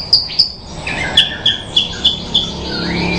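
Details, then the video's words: Bushlark singing: a series of sharp clipped chirps repeated about every third of a second, followed by short slurred whistles, with faint background hiss. "Suara Burung Branjangan Merdu"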